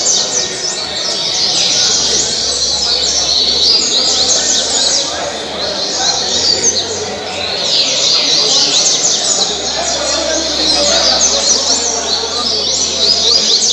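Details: Caged coleiro from Angra dos Reis, Brazil, performing caribe-style song; dense high-pitched chattering and slurred whistles run unbroken through the recording, with a faint low hum underneath.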